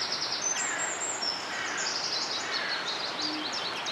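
Thin, very high treecreeper calls, drawn-out sibilant 'tsree' notes, come repeatedly over a steady hiss of background noise.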